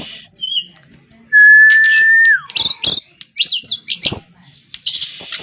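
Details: Brown-chested jungle flycatcher giving a few high whistled slurs, then a loud, long, steady whistle falling at its close. Quick bursts of sharp rising chirps come next.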